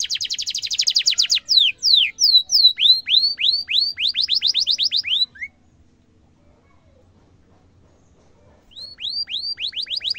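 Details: Canary song used to train young canaries, with sharp rolling: a fast buzzy trill, then a long series of rising-falling whistled sweeps repeated about three per second, a pause of silence, and the sweeps resuming.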